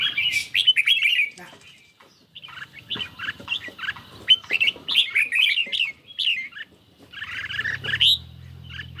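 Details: Caged red-whiskered bulbul on a lightly sunny day, singing in a duel against a phone: bright, warbling phrases of short rising and falling notes, in bursts with brief pauses. A low hum appears near the end.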